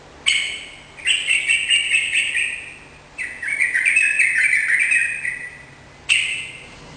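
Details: Sooty-headed bulbul in full, lively song: long runs of rich, bubbly chirping phrases that rise and fall, broken by a short pause, then a fresh bright burst near the end.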